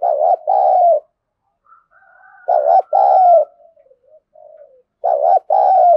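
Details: Contest cooing of a spotted dove in the "giọng thổ" voice style: strong double coos, a softer trailing murmur in the gap, then the loud pair again, against silence.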